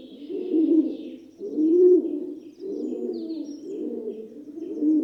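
Rock Dove giving low, throaty rolling coos, about one phrase every second, in a soft continuous run with faint higher chirps in the background.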